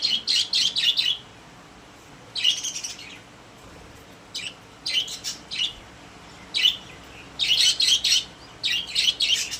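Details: Several happy pet budgerigars in a cage give bursts of bright, scratchy chirping chatter, clusters of quick high notes separated by short quiet gaps, in a small indoor room.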